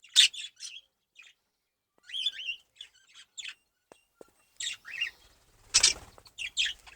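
Budgerigars give rapid, scratchy warbles and sharp chirps as rival males compete for a female.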